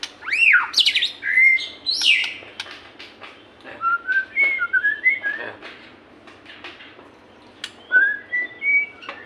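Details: White-rumped shama song played as a lure to make caged shamas start singing: sweeping whistled arcs opening the phrase, then a series of short rising whistles and slurred notes, loud and clear with brief gaps between phrases.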